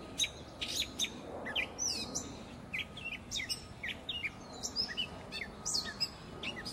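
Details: Gray catbird singing a rambling, mixed series of squeaky, whistled and chattering notes in quick phrases, with a noisy background and a low hum.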